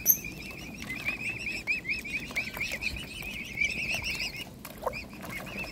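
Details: Mute swan cygnets eagerly fed by hand: rippling high peeps run on in a continuous chain, with a sharp squeak at the start and scattered taps and splashes.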